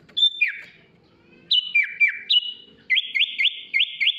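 Sooty-headed bulbul song of clear whistled notes dropping in pitch, then a quick run of five rising, looping whistles.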